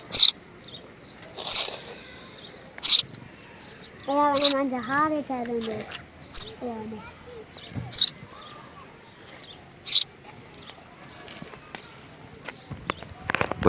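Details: A rescued baby house sparrow (Passer domesticus) gives sharp, high chirps, one every second or two, while a human voice speaks briefly in the middle.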